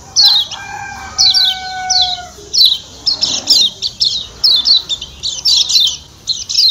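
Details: Lombok white-eye, known locally as kecial kuning, from Lombok: rapid series of high, descending chirps in short bursts, with a steady, multi-toned whistle underneath during the first two seconds.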